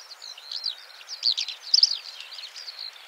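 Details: Eurasian skylark song, a trilling song that marks its territory: a continuous run of high, fast, warbled twitters and trills, rising and falling, with louder bursts near the middle and soft background hiss.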